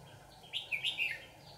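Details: Red-whiskered bulbul in Dak Nong, Vietnam, recorded on 18 June 2019 at the start of the season while trapping with a lure bird. A short burst of four bright warbled notes sounds against a steady background hiss.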